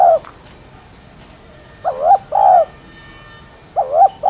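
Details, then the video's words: Spotted dove cooing, meant to spur caged doves into calling: the tail of one phrase, then a full short-then-long coo pair, and another starting, repeated roughly every two seconds, soft and hollow. "Cu Gáy Thúc Chay Bổi Nghe Gáy Liền.... . Tiếng Cu Đất Gáy , Cu Cườm Gáy Kích Bổi"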